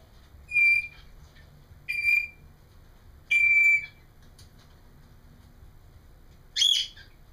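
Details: Indoor pet parrot babbling: four loud, clear whistled notes, three steady and one higher and brighter, spaced irregularly about a second or more apart against a quiet room background.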